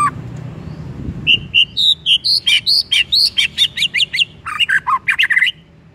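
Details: Lure song of a white-rumped shama meant to provoke another bird into singing: a fast run of crisp, high chirped and whistled notes, each slightly different, delivered in a steady rhythm for several seconds, with faint background hum.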